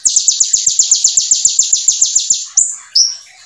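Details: Brown-throated sunbird 'full nembak' song: an unbroken string of about eighteen sharp, very high chips over two and a half seconds, closing with two longer descending whistled notes.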